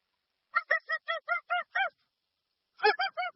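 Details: Dusky-legged guan calling in a steady rhythm: seven resonant, nasal honks spaced about a fifth of a second apart. After a short gap, a new run starts with a rougher first note. Clean original sound.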